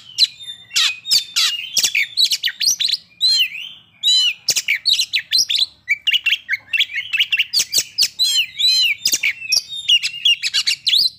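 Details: Oriental magpie-robin (kacer) song used as a lure to bring other kacer quickly into breeding condition and aggression; a dense, fast run of sharp chirps, rising whistles and buzzy notes, almost without pause.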